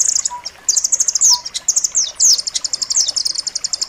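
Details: Rapid, high trilling from a rambatan loreng nuthatch, recorded for tutoring pet songbirds, mixing sharp repeated notes with a few downward-slurred whistles in a nearly continuous chattering run; a faint low tone sounds briefly twice.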